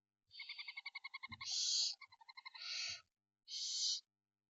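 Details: Barn owl in Spain during parental care, giving a fast run of about a dozen ticking, tonal notes and then long harsh hissing screeches, with pauses in between.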